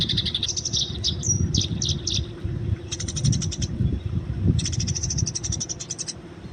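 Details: Wild Eurasian tree sparrow giving fighting chatter for training: bursts of rapid, high, buzzy chirps with a short thin whistle near the start, separated by pauses, over steady low rumbling background noise.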